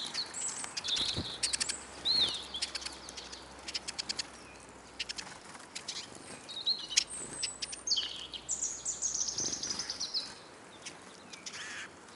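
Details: Eurasian siskins at a bird feeder in Kolmården, Sweden, many birds feeding: scattered high chirps and short upslurred whistles with thin buzzy phrases, over frequent clicks and tapping.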